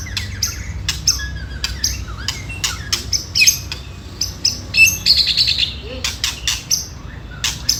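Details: White-rumped shama singing to provoke rival birds, a lure recording of ketrekan-style song: sharp clicking bursts mixed with short high whistled notes, loud and irregular, over a low background hum.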